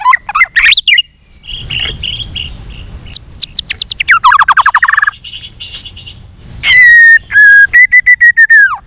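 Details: White-rumped shama singing a fighting song while flicking its tail, with rich varied whistles, rapid trills and sweeping notes, ending in a loud sustained whistle followed by fast repeated chips.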